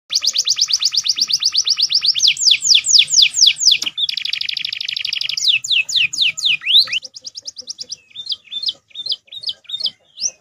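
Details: Pet canary master song mixed with prenjak and ciblek fills: long high rattling trills, then a series of sharp downslurred whistles, a buzzy rolling tour, more falling whistles and short clipped upward notes at the end.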